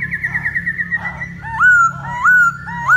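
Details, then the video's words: Masked laughingthrush in full song, dancing to draw a female's attention: a fast wavering warble opens, then loud rising whistles repeat roughly every half second, each sweeping upward and levelling off, over a steady low hum. "Poksay HONGKONG Gacor Tarian Burung Legenda"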